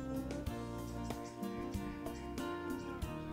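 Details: Plucked guitar music with steady strummed notes plays throughout, and no animal sound is audible.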